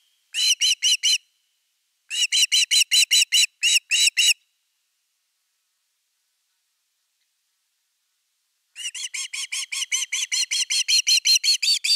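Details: Evening fish at a Finnish osprey nest on 30 August 2021: three runs of piercing whistled notes, the last one long and fast, nearly twenty chirps in a row after a silence of several seconds.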